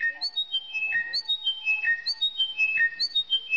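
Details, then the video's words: Chiming Wedgebill repeating a clear, descending chime of about five whistled notes roughly once a second over a lower steady whistle; a song used to attract partners, a "Look at me" call rather than a territorial "Mine" call. "Like this Chiming Wedgebill is clearly doing the "Look at me" call."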